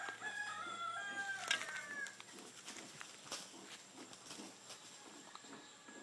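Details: Chickens fighting in American Samoa; a rooster's drawn-out crow ends after about two seconds, followed by scuffling and background rustle.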